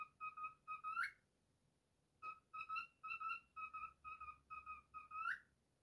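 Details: Caged pet cockatiel singing its version of If You're Happy and You Know It, steady short whistled notes ending in an upward-sliding whistle, a pause, then another run of clear even notes closing with a rising slide.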